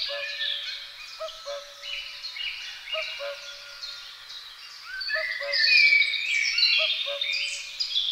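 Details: A great spotted woodpecker pair attending their young. Shrill, buzzy chattering continues without pause and swells near the end, over a distant low double hoot from another bird repeating regularly.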